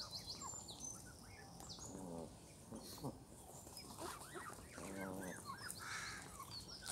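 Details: Young Canada geese, goslings now grown, in Longton Park, Stoke on Trent, June 20, 2022: short buzzy, rasping harmonic calls in bursts near two and five seconds, amid constant chirping from small birds and a low hum.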